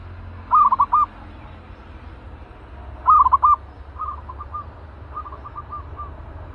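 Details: Caged zebra dove, described as aggressive and ready for trapping, uttering two loud stuttering coo phrases followed by fainter echoing runs of similar soft notes, possibly a second bird; low background hum.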